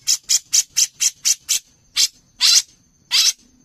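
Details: Brown-cheeked bulbul in full, lively voice, recorded as a master track for songbird contests: seven rapid harsh, rasping notes in quick succession, then three longer, louder buzzy notes spaced about half a second apart.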